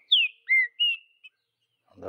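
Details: Green-winged saltator of the Vidigal song style, wild in the bush: three loud clear whistled notes, the first sliding down, the second a lower slurred whistle, the third level, then a soft thump at the end.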